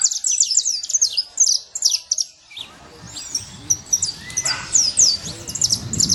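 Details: Saffron finch free in nature: a quick burst of high, sharp chirps for about two seconds, followed by looping whistled notes from other birds against a soft low background hum.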